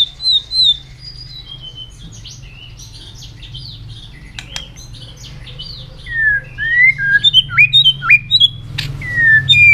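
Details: Training song of a white-rumped shama, meant to push a bird into quick, multi-voiced singing: high whistled notes at first, then a rapid run of bright rising and falling whistles with sharp clicks, over a steady low hum.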